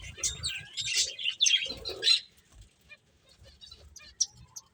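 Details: Finches at play chirp in a busy burst of high twittering notes for about two seconds, then fall mostly quiet with only a few scattered high chirps and a faint low rumble.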